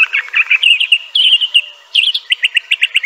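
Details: Crissal thrasher delivering a rapid jumble of warbles and whistles, ending in a steady series of short repeated chirps.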